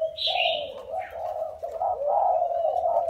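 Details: Spotted dove caught from the wild and caged four years gives a near-continuous string of low, rolling coos, opening with a brief higher chirpy burst.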